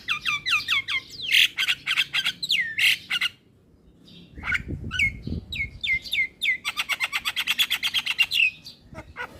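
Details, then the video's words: Young male black-winged myna singing as a tutor and calming song for stressed mynas: series of downslurred whistles with harsh overtones, loud noisy squawks, a brief pause, then a fast run of sharp repeated notes. "Jalak Kebo Jantan Muda Gacor PAs Buat Masteran dan terapi Burung Jalak Stres"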